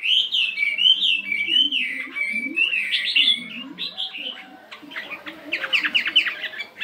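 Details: Chinese hwamei, a fighting bird of 72 grams, in morning singing practice: varied whistled phrases for the first few seconds, then quicker sharp chirping notes, over soft low background sounds.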